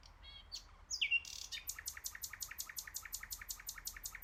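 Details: Nightingales singing, a few varied chirps and a sharp whistle, then a long steady series of rapid loud clicking notes repeated about five times a second, against faint low background rumble.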